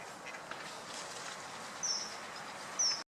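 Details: Common kingfisher giving two short, thin, very high piping whistles about a second apart against a steady hiss of background noise.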